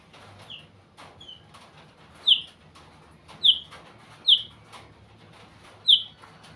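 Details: White-rumped shama uttering short, high, whistled notes at intervals of about a second, a few softer ones first, then four louder clear notes standing out from low background hiss.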